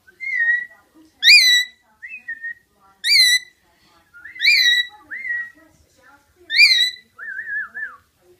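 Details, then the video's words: Rainbow lorikeet making loud, shrill, ringing whistled notes, each sharply rising then bending down, interspersed with softer wavering whistles and chatter, repeated roughly every one and a half seconds in a quiet setting. "Rainbow lorikeet sounds"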